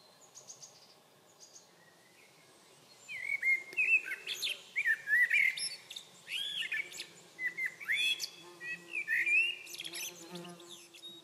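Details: A common blackbird at Sunnansjö on 21 June 2023 sings rich, mellow fluted phrases that break into squeaky, twittering endings, coming in quick succession after a few quiet seconds.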